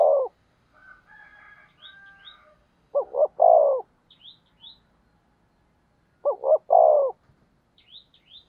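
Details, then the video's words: Urging coo of a decoy spotted dove luring wild doves: throaty phrases of two brief notes and one longer descending note, repeated twice after a trailing earlier coo, with a burst of twittering and faint high squeaks from other birds. "Tiếng Chim Cu Mồi THÚC GÙ Bổi Nghe Ức Chế Gáy Theo Cả ngày"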